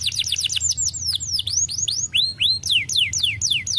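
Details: Canary song for stimulating other canaries to sing: rapid series of bright, high downward-sweeping whistles, repeated about four per second, shifting in pitch and pace, loud and clear.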